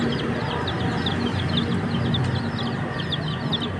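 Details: Continuous soft peeping from chicken chicks, short high falling notes in an even patter, set against a strong low rumble.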